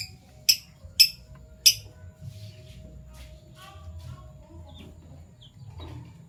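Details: Morning chirping from captive Fischer's lovebirds, violet and gold opaline colour forms: three sharp, piercing high chirps about half a second apart open the clip, followed by soft scattered twittering and low room hum.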